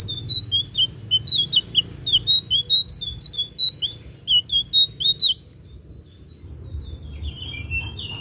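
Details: Blue-eared kingfisher giving a fast series of high, sharp, slightly downslurred chirps, about three per second for five seconds, then fainter scattered notes, with a low background hum throughout.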